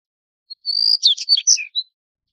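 Daurian redstart gives a thin high whistle that breaks into a quick jumble of scratchy, twittering notes, all in under two seconds. The background is quiet.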